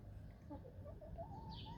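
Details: Morning backyard chickens hiding under a bush, a short run of quick wavering mid-pitched murmurs that rise slightly toward the end, over a low steady background rumble.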